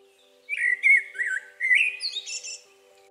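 A common blackbird sings one mellow, fluting phrase of warbled notes that ends in a higher, squeaky twitter, over a faint steady hum.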